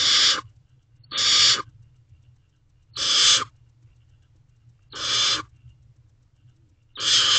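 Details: Nest-box barn owl owlets, one preening its sibling while they wait to be fed, just after midnight on 21 May 2023; five harsh hissing bursts spaced about two seconds apart over faint low hum.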